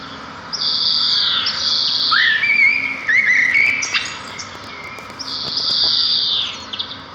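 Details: Sparrow chorus outdoors: long high buzzy trills open and close, with a middle run of short whistled notes stepping upward.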